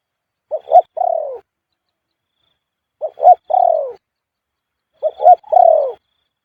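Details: Male spotted dove repeating its khu-ang coo roughly every two and a half seconds, three phrases of two quick hooting notes then a sustained descending coo, against a quiet background.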